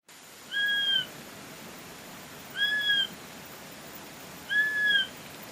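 Swainson's Flycatcher giving three plaintive, slightly slurred whistled notes, each about half a second long and spaced two seconds apart, over a soft background hiss.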